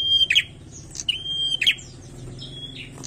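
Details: Bar-winged prinia in full song, giving two loud phrases of a clipped note, a level piercing whistle and a harsh buzzy ending, followed by a softer, fainter phrase against low rumbling noise.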